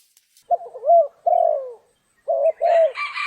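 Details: Spotted dove calling during trapping on a rainy, stormy day: paired low hooting coos, a short note followed by a longer drawn-out falling note, given twice, with a brief higher chirping sound at the end.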